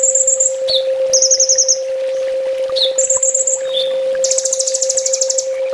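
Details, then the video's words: Full tembak master song of a ninja sunbird used to train cage birds, with rapid high trills and brief descending notes, ending in a long dense buzzing trill, while a constant low hum runs underneath. "Suara masteran burung kolibri ninja full tembak"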